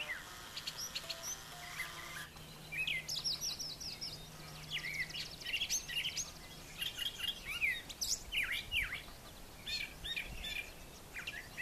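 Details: Brown thrasher singing in the morning on a farm yard with brushy nesting sites: after a quieter start, a long run of varied quick phrases, many repeated in pairs, jumping between middle and high pitches, a low hum early on.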